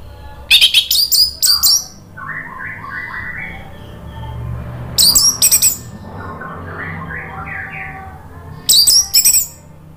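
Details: Orange-headed thrush song played as a lure and therapy for a bird gone quiet: three short bursts of sharp high whistles a few seconds apart, with softer lower chattering notes between them.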